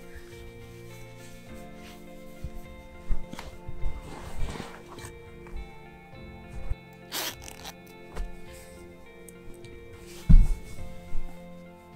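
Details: Steady background music with a few rustling, zipper-like handling noises; no animal calls are heard.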